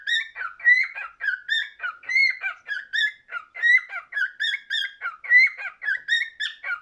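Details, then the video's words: Pet cockatiel song: steady stream of chirpy, whistled notes, some buzzy, with rich harmonics, delivered in quick pulsing phrases without pause. "Best Cockatiel singing"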